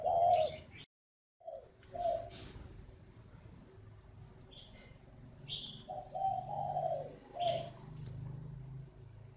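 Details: Northern Vietnamese spotted dove used as a lure bird giving low, mellow coos in short phrases: a burst at the start, two brief notes around two seconds, then a longer wavering coo series, with scattered high chirps from other birds.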